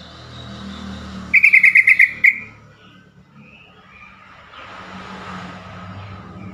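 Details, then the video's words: Trucukan, the yellow-vented bulbul, gives a call said to draw quick replies from other bulbuls: one short burst of about seven sharp, rapid notes, over steady vehicle hum and low rumble. "trucukan call"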